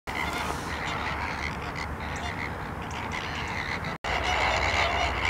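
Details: Wild flamingos at a salt lake in Larnaca, Cyprus, giving a continuous nasal, honking chatter from many birds at once, with steady low wind rumble underneath and a brief gap near the end.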